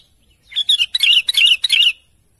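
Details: Sooty-headed bulbul in full voice calling to its companions, a dense burst of warbled, jumbled chirps rising and dipping, about five grouped notes crammed into a second and a half.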